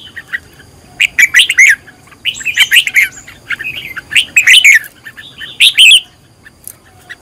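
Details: Fired-up 'căng lửa' decoy song of a red-whiskered bulbul for training: dense warbled whistles and chirps in loud flurries of one to two seconds, separated by quieter gaps, with faint background chatter.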